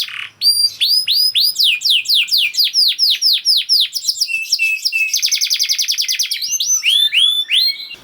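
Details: Singing canary, meant to stimulate stalled canaries to sing: a run of steady downward-curving whistled notes, then a dense fast buzzing trill, ending with rising chirps.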